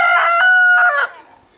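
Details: Red-Saddled Yokohama rooster kept with his hens in Holland crowing: one loud, strident, sustained note about a second long with a slight break midway, ending abruptly and fading to quiet.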